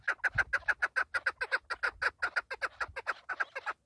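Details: Partridge with a loud, steady stream of rapid chuck notes, about three per second, stopping abruptly at the end.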